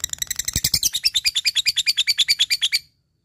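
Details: Ngekek chatter from a lovebird fighter challenging a rival: a steady run of about twenty fast, shrill, buzzy notes, evenly spaced, ending abruptly in silence.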